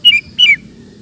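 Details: Sooty-headed bulbul giving two clear whistled notes, each sliding downward, in quick succession over quiet low background noise; from a recording of its rapid 'ropel' song.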